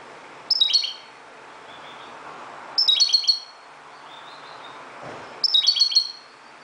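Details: Moroccan European goldfinch in dawn song: three bursts of rapid, high, jingling twitters spaced about two and a half seconds apart, with soft thin notes between and background hiss.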